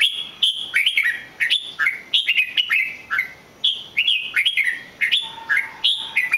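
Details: Red-whiskered bulbul singing: lively, loud phrases of short liquid whistled notes that sweep up and down, delivered in quick bursts roughly every half second throughout, with a brief steady low hum near the end.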